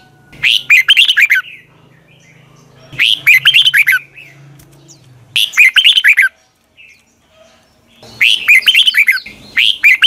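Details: Red-whiskered bulbul morning song, long double twisted style for training birds; five rapid bursts of clipped, bright whistles about every two seconds, over a low steady hum.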